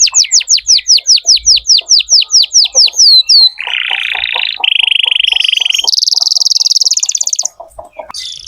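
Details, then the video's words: Canary song played to young birds as a tutor: a string of clear falling whistles, then a harsh buzzy roll, a lower steady trill, and a high rapid pulsed roll, with faint ticking sounds underneath. "Masteran kenari muda dengan pancingan kenari gacor"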